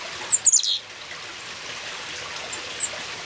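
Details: A Carolina chickadee visiting a front-porch bird feeder gives a quick burst of three or four thin, very high chips, then one faint lone note, over a steady outdoor hiss.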